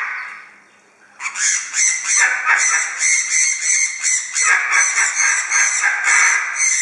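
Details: Sun conures, kept parrots that are active and loud while preening and cuddly when relaxing, give harsh, piercing screeches repeated about three times a second after a quiet start.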